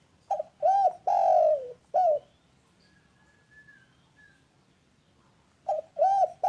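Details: Spotted dove repeating its coo phrase twice: short note, arched coo, long descending coo, brief closing note, then silence with faint distant whistling before the phrase begins again.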